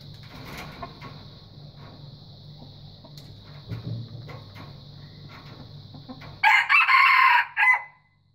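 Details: A white junglefowl gives a crow that comes only after six seconds of low hum and faint clicks. It is loud, hoarse and choppy, in several quick rasping bursts with a short final note, then silence.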